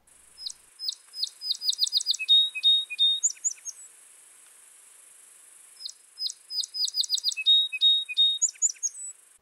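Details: Song Sparrow, perched, singing twice in spring, central/eastern United States: each song opens with a few bright introductory notes, then a fast trill and a jumble of high buzzy and clear notes.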